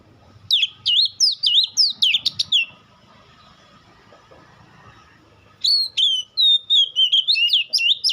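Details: An Oriental magpie-robin pours out a quick string of shrill, twisting whistled phrases, falls quiet for about three seconds, then returns with clear sustained whistles and upward-flicking notes. The song is claimed to draw a reply from any magpie-robin.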